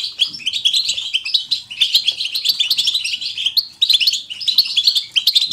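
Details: Batbata twittering of a European goldfinch, chosen to spur other goldfinches to sing: quick liquid chirps and buzzy trills in bursts, a short pause near four seconds, then renewed chatter.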